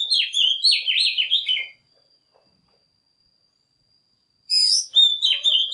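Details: Oriental magpie-robin (Copsychus saularis) morning song of rich, fast phrases of varied whistles and warbles, a pause of nearly three seconds, then a second burst; a lure recording meant to provoke other magpie-robins and train young birds to sing.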